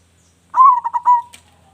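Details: A single song phrase from a local zebra dove with a big voice, used as a lure bird: a swelling coo breaks into three quick pulses and ends in a smooth drawn-out note, followed by a brief click.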